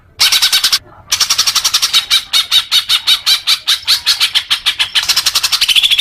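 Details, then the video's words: Leafbird song used as therapy for newly caught young birds: a dense run of rapid, harsh, buzzy chattering notes, about four per second, broken by one short pause and steady to the end. "suara kicau murai daun untuk terapi burung bakalan"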